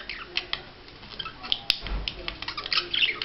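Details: Budgerigar in courtship display, uttering a brief burst of chirps and squeaky notes with a soft thump partway through.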